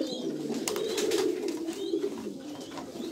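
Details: Low, throaty cooing from a kept Jambu pigeon, a steady rolling murmur that swells and fades over a few seconds, with faint background clatter.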